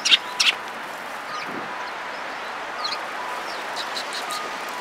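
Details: Sparrows arriving for food at a Tenmangu shrine on 24 February 2022, giving two loud, clipped chirps right at the start, then only faint scattered twitters over a constant low rumble.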